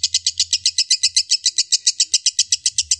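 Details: Lovebird giving fast, tight song for training cage birds: evenly spaced shrill chirps, close to four per second, with a faint low hum beneath.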